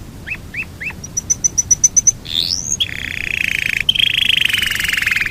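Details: Yorkshire canary giving a long rolling song: a few rising chirps, a quick series of high clipped notes, a sweeping whistle, then an extended buzzing roll held steadily to the end.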